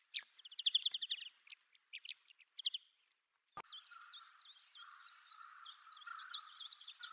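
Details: A migrant Greater Short-toed Lark on Yonaguni Island, Japan, gives dry, high chirping notes in quick bursts, then a sharp knock and steady twittering over a constant background hiss.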